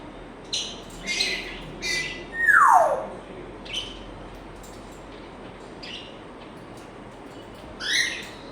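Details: African grey parrot at home, giving quick high chirps, then a strong falling whistle that slides downward, followed by sparse tweets and a final rising squeak.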